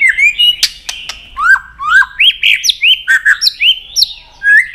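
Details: White-rumped shama in fighting song, flicking its tail to stir up a rival: fast series of rising whistled notes with clicks between them, loud, strong and rhythmic, with almost no background.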